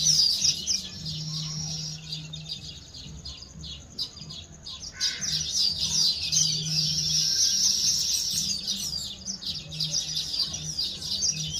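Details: Nesting sparrows with eggs in woven nests, busy gathering food. Rapid high twittering from several birds runs almost without pause and swells midway, over a faint low droning hum.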